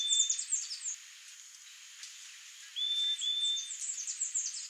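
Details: Female Blue Dacnis (Dacnis cayana) giving thin, high, sibilant chips and short buzzy notes in quick bursts, with a couple of drawn-out high whistles between.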